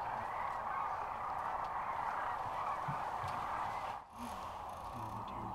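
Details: Thousands-strong murmur of sandhill cranes at Rowe Sanctuary, Nebraska, March 2014: overlapping rattling calls in a steady din, with a short break after four seconds and low voices nearby.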